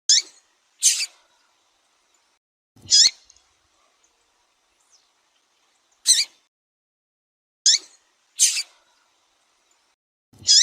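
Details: Female Double-collared seedeater calling repeatedly to stimulate males: seven harsh, buzzy high chirps over ten seconds, some in close pairs, spaced irregularly with clean silence between.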